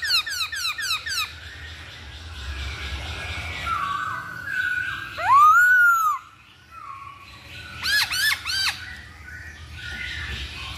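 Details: Masked laughingthrush played as a lure to provoke another bird to sing: loud rising-falling whistled notes, a sharp upslurred squeal near the middle, then a burst of rapid harsh descending notes; steady low background hum throughout.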